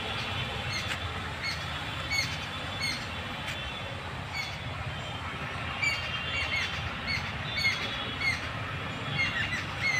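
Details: Garden birds at Bundelkhand University in Jhansi calling with scattered sharp chirps and brief whistled notes, repeated every second or so, over constant low-pitched background hum and occasional louder squawks.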